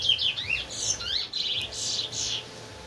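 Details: Large-billed seed finch (towa towa) from Linden, a teacher bird for training other birds, gives a short jumble of sliding, buzzy high notes and swept chirps with brief gaps and a quiet background hum.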